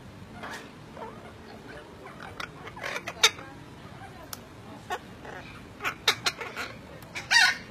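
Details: Maroon-fronted parrot (Rhynchopsitta terrisi) giving harsh, grating squawks in irregular bursts, louder toward the end, over a faint background hiss.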